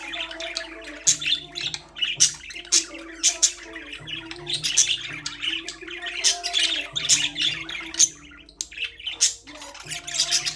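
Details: Several caged budgerigars chatter nonstop: dense, scratchy chirps and squawky warbles in overlapping bursts, with a soft, low instrumental melody running underneath throughout.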